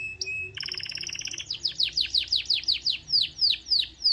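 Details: Canary song to spur other canaries into singing: a brief steady whistle, a rapid buzzy pulsed trill, then a rhythmic series of loud, sharply descending chirps about four per second.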